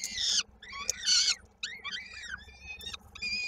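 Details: Peregrine falcon at a nest in Koszalin, 16 May 2022, during feeding as a chick's foot gets stuck in a beak; harsh harmonic wailing calls, some sliding downward, in bursts under a second long with short gaps, over a steady low hum.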